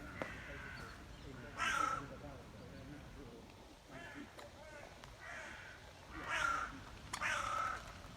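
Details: Grey heron (Ardea cinerea) approached closely, giving harsh, hoarse croaks: one early, then two louder rasping calls close together near the end, over low rumbling background noise.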